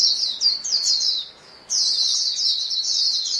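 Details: White-eye flock calling back and forth, recorded to get caged birds singing: high, thin chattering chirps in a steady stream, broken by one short quiet gap before the chorus resumes.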